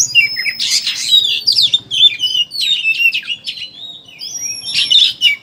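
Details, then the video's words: Chattering ngeriwik song of an oriental magpie-robin, played as a lure so birds open their beaks and sing; loud high sweeping whistles, harsh bursts and rapid chips in a continuous jumble, with a low hum. "Suara Burung Pancingan Kacer Ngeriwik Agar Ngeplong Buka Paruh"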